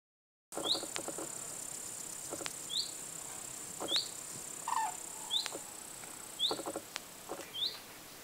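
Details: Common cranes gathered at a lake shore in summer 2019, part of a flock of around 100 non-breeding birds: harsh harmonic calls repeat about every one and a half seconds, with thin high chirps from another bird between them.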